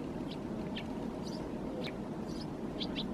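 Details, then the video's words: A Eurasian tree sparrow perched in a thicket in Helsinki, Finland, in January 2022 gives short, high chirps, about two each second, over a steady low rumble of background noise. "Tree Sparrow perching in the thicket, vocalizing"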